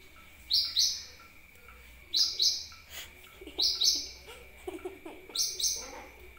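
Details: Sunbird lure call for attracting birds: bright, high double chirps sweeping downward, given four times, with softer lower chatter and clicks between them and a faint continuous hum.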